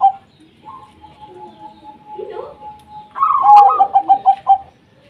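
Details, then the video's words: Local zebra dove, a lure for reluctant doves to start singing: a brief coo, a long steady tone with a low murmur partway, then a loud rolling series of rapid staccato coos that ends abruptly. "Perkutut Lokal Gacor 100% JITU Ajak Perkutut Malas Bunyi Dijamin NYAUT LANGSUNG RAMAI"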